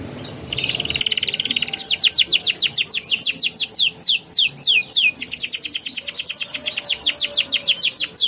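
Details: Young canary singing energetically in ngeriwik and ngeroll style, played to coax silent canaries into song: a brief harsh note opens, then long runs of quick rising whistled strokes and rolling trills, with faint low background noise.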